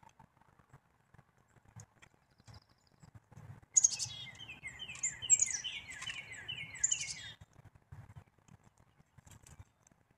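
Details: A black-capped chickadee gives a burst of high thin notes followed by a rapid string of falling, slightly buzzy notes lasting roughly four seconds, set against quiet surroundings with soft low background noise.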